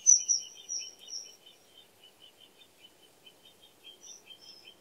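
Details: Common kingfisher calls meant to lure the kingfisher: thin, high, shrill whistles over a steady run of short, lower chirping notes repeated several times a second, in a quiet natural setting.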